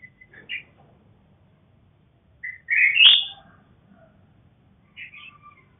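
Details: Farm-bred red-whiskered bulbul, black-crested crossed with a female: scattered short whistles, then a loud, rolling warbled phrase mid-clip and softer chirped notes near the end.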